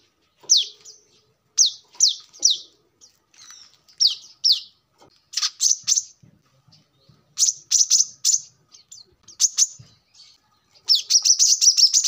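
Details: Brown-throated sunbird song for luring or training birds: scattered high chips and short clusters, building into a rapid, dense high twitter at the end.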